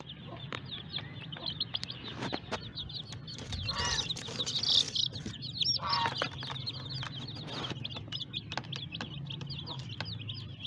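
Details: Baby chicks peeping: many thin, high repeated chirps at a fast, uneven rate, overlapping from several birds, with bursts of rustling or wing flapping and a steady low hum beneath.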